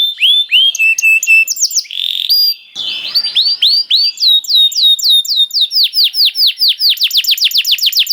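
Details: Canary singing as a training bait for other canaries: rolling series of rising and falling whistled notes, a brief buzzy burst, then accelerating rapid trills ending in a fast rattle.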